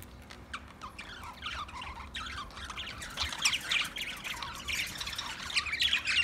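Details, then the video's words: Budgerigar chatter, an Australian parrot, building from soft scattered chirps into a denser stream of rapid high warbles and squeaky notes toward the end. "Birds Singing Beautiful Budgie Sounds Parrot Talking voice"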